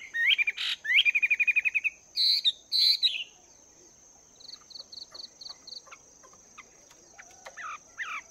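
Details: Chinese hwamei, wild-caught and caged two months, practising song in the morning: rapid stuttering trills and bright rising whistles, then a quieter stretch of evenly spaced high ticks and a few scattered faint notes.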